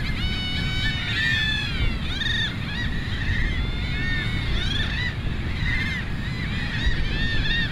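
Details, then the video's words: Peruvian gulls calling: drawn-out, wavering, nasal cries and shorter yelps from several birds, set against heavy, rushing background noise. "GAVIOTA PERUANA"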